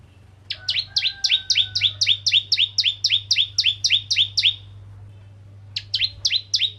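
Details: Bar-winged prinia (crystal ciblek) singing briskly to stimulate other prinias: quick rhythmic string of high, doubled chirps, nearly four per second, for about four seconds, a pause, then a shorter burst; low steady hum.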